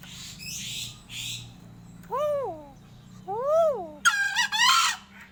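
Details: Crow with strange sounds: soft breathy notes, then two arched, whining tonal calls rising and falling, ending in a loud, buzzy, stuttering harsh call.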